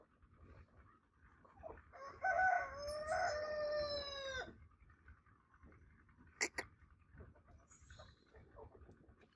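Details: Rooster crowing during a crowing competition: one long harmonic-rich crow, held for about two seconds and falling slightly at the end, followed by a sharp short cry and a quieter, noisy background.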